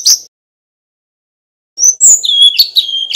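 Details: Male Brown-chested Jungle Flycatcher from Bali, a training master bird, gives a brief high note, then after a pause a rich phrase of slurred whistles that slide down and hold steady.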